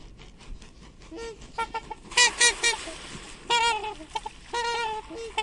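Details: Swan calling: a quiet start, then a series of nasal, trumpet-like honks with rich harmonics, some short and clipped, others drawn out, in irregular bursts over faint background hiss.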